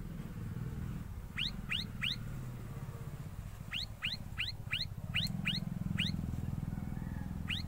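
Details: Ashy tailorbird, while making its nest, gives quick, sharp, upward-sweeping chirps in bursts of three and six, over a steady low rumble of background noise.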